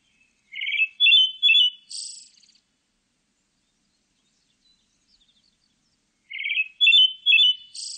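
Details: Two song phrases from a pale thrush, separated by nearly six seconds of quiet. Each opens with three bright rising whistles and ends in a thin, scratchy high trill.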